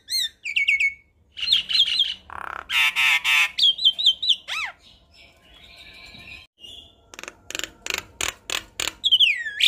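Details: A Javan myna sings a varied, energetic medley of high whistles, down-slurred notes, harsh buzzy rattles and squawks in quick, uneven bursts, a song meant to be played to young Javan mynas as a tutor.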